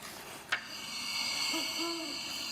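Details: Great Horned Owl pair duet, heard mostly in late winter and early spring: two soft, deep, low hoots in quick succession over a steady high hiss, with a brief click just before.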